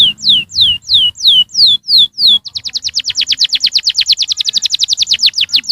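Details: Young canaries are meant to be prompted to sing by this canary song: six slow descending whistled sweeps, then a long, very rapid tour of quick down-slurred notes.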